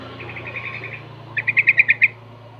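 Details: Six-month-old yellow-vented bulbul learning ropel and garuda song styles: a faint rattled phrase, then six loud, evenly spaced bubbly notes in quick succession, with a low hum underneath.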